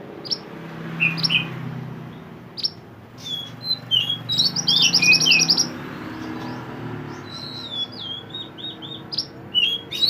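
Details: Mantenan bird from the mountains, a lively songster recorded for tutoring other songbirds, giving high whistled slurs and sharp chirps, a fast buzzy rattle near the middle, then a string of rising and falling whistled notes.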